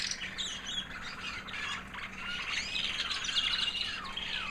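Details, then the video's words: White American Singer canary hen, a proven 2009 breeder that raised young the previous year, singing after the molt: a high, sweet, continuous warbling of quick twittering notes and short trills, fairly soft, with faint steady background hum. "Singing canary FEMALE"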